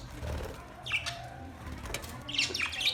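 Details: Budgerigars chirping: a couple of quick, high, squeaky chirps near the start, then a brighter cluster of sharp rising and falling chirps toward the end, over a low background rumble.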